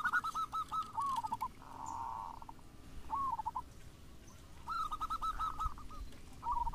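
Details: Zebra dove song meant to set other local and crossbred doves singing: soft, quick runs of bubbling coo notes in several short bursts separated by pauses, over a faint background hiss.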